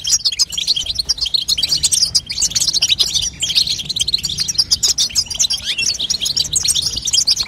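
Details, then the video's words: Energetic high twittering of a female European goldfinch, played to stimulate a young goldfinch to sing; tumbling chirps and buzzy notes continue densely for over seven seconds. "بتبته لتقويه فرخ الحسون تخلي يغرد غصب عنو"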